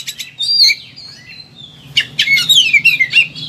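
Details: Oriental magpie-robin in high excitement, its song meant as a master recording to stir lazy birds: clear whistled glides and a drawn-out falling whistle, followed by a rush of quick chattering, descending notes, all over constant low background hum.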